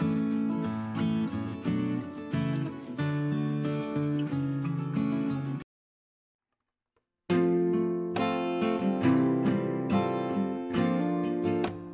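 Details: Strummed acoustic guitar music plays throughout, broken by a short silence midway, with no animal sounds.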